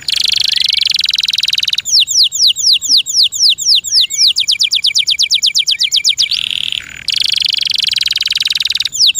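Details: Captive canary's loud chirping song: a buzzy rattle, then a long series of quick descending whistled notes accelerating into a trill, followed by another dense rattling phrase.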